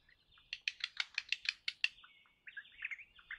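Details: Crimson rosella making a steady run of about nine sharp, evenly spaced harsh notes over a soft piping tone, trailing into softer twittering chatter, with faint low background rumble.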